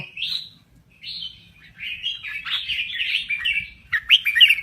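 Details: Song of a crested bulbul from Thailand, soft slurred whistles at first, then a longer run of warbling, gurgling notes ending in sharper chirps.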